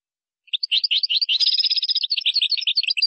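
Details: European goldfinch singing in Moroccan style, with phrases named gazrat and srrr bertbertiu: a continuous rapid twittering of high tinkling notes and short buzzy trills, lasting about two and a half seconds, with no other sounds.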